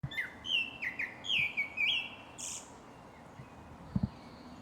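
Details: Japanese thrush singing at Shinano-Oiwake, Japan: a run of loud, clear whistled phrases, each dropping in pitch, repeated about twice a second, then a thin high buzzy note and a fainter sustained whistle, with a couple of low knocks near the end.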